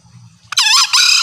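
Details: Lure call of a green junglefowl hen, stated to make separated cocks come near; after a brief low murmur, a loud, rough two-part call with a short harsh opening and a sustained buzzy ending.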